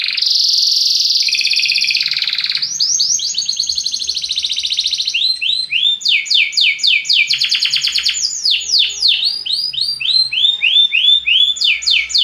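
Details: Continuous Belgian canary song for cheering up other birds: a loud sustained buzzy roll gives way to long fast trills of repeated sweeping notes, changing speed and pitch without a break.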